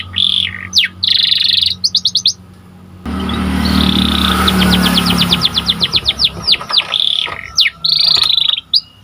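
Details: Panda canary, a white caged bird, singing for training master audio: buzzy trills and quick sweeps, then a fast series of repeated chirps over a passing vehicle's rumble.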